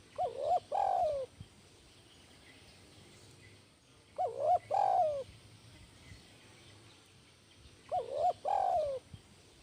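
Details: Spotted dove (tekukur) singing the 'kuk 1' song style: low cooing phrases, two short rising notes then a longer falling coo, repeated about every four seconds, three phrases, faint background hum.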